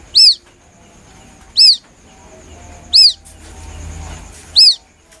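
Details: White-breasted waterhen chick calling plaintively, used to lure birds: four piercing, arched peeps about one and a half seconds apart, with a soft rumble between the third and fourth.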